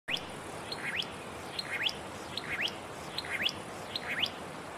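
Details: Satin flycatcher singing in fire-damaged trees in Namadgi National Park, south of Canberra, Australia: repeated short upslurred whistled notes, each a quick rising sweep, given in pairs roughly every second over a quiet background hiss.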